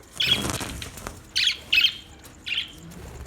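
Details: Budgerigar giving short harsh squawking calls, four separate bursts spaced about half a second to a second apart, with quiet gaps between.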